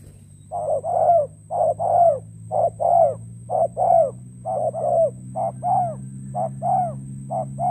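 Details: Decoy spotted dove used in trapping, a bird from Cà Mau, Vietnam, recorded 21 February 2024. Repeated soft cooing in paired phrases, a brief note then a longer downslurred one, roughly one pair per second, with a low background hum.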